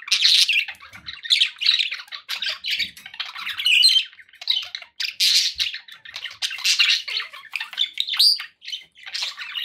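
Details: Budgies, kept as pets, chatter continuously in quick scratchy warbles and chirps, with a thin rising whistle near the end, all rapid and unbroken.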